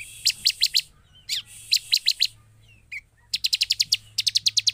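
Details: Bar-winged prinia calls used as a lure to provoke quiet birds into responding: bursts of four to eight sharp, high, rapid chip notes with a brief pause between bursts, over a faint low hum.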